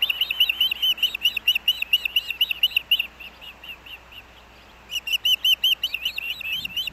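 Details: Morning fish delivery by the male osprey at a Montana nest beside Hellgate Canyon, 3 August 2024, captured by a nest camera: quick bursts of shrill whistled chirps, a brief lull, then another loud volley of chirps.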